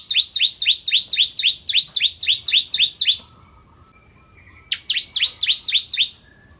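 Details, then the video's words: Ciblek kristal, the bar-winged prinia, singing briskly as tutor material for white-rumped shamas: a long rapid volley of about fourteen sharp falling chirps, a pause with a faint thin tone, then six more. "Masteran Ciblek Kristal Gacor"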